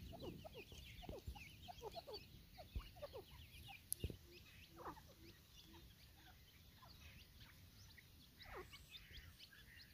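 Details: Several grey francolins calling together: a busy run of short clucks and quick rising chirps, overlapping, over a steady low rumble of background noise.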